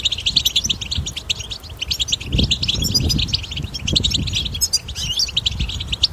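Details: Wild-recorded European goldfinch song in the batbata style, used to stimulate goldfinches to sing: dense, fast, high twittering and chattering notes run continuously, with low background rumble beneath.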